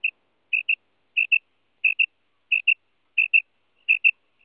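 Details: Calling female common quail, the madi batair kirk used for hunting: seven evenly spaced pairs of short, high, piping notes, each double note coming about every two-thirds of a second, with nothing else heard.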